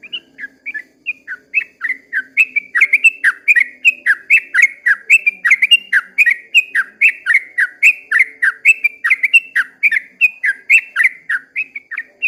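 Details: Sooty-headed bulbul giving a long 'ropel' song at dawn, an extended, loud and almost continuous series of rapid slurred whistles, roughly four notes per second, with only a faint low hum behind.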